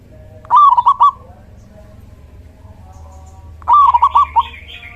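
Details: Male local zebra dove singing actively, used as a lure to attract and trap other zebra doves and as a master song for quiet birds: two phrases of about five quick, bubbling cooing notes, roughly three seconds apart, over a low background hum.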